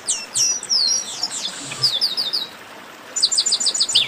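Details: A ruckus of chestnut-capped blackbirds meant to stir singing birds: dense, overlapping high whistles and downslurs at first, a short lull, then a rapid run of sharp, repeated chirps.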